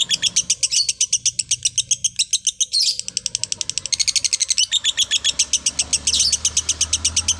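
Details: Extended lovebird 'konslet' chatter for a master recording: a dense stream of shrill, rapid chirps, with brief buzzy bursts and short breaks in the rhythm around the middle.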